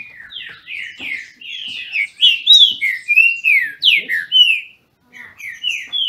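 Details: Caged trinca-ferro, the Brazilian thrush, singing in a contest in Brazil: rapid run of clear slurred whistles, rising and falling, broken by a short silence near the end before a few more notes.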